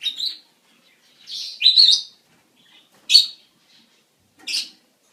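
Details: Captive budgerigars in mating season, used to encourage breeding in birds at least eight months old: sharp high chirps and a longer scratchy warble, spaced by short pauses, about four bursts, otherwise quiet indoor setting.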